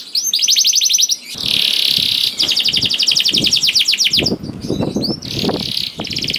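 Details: Canary singing loudly to coax other canaries into song: rapid repeated trills of sharp high notes alternating with harsh buzzy rolls, the phrases changing every second or so, low knocking sounds beneath.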